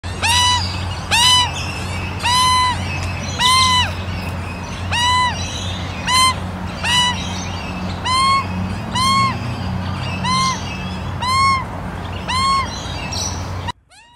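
A young Australian magpie gives a run of harsh, arched squawks, roughly one per second, over a steady low hum.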